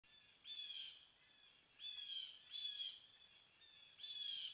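A nuthatch gives four short, bright, slightly rough high calls at an uneven pace, about one every second, over a faint steady hiss.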